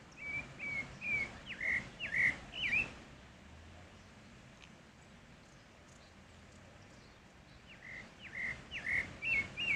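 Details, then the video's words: Wild Pale-breasted thrush (Turdus leucomelas) song in nature: bursts of bright, clipped whistled notes, some rising and some dipping, given in a quick string, then a pause of several seconds before another fast string begins. "Sabiá barranco cantando na natureza"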